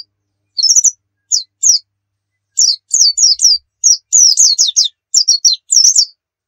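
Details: White-eye giving a nembak-style song as a lure: scattered high, thin chirps at first, then tight clusters of fast, sharply falling notes repeated in quick succession.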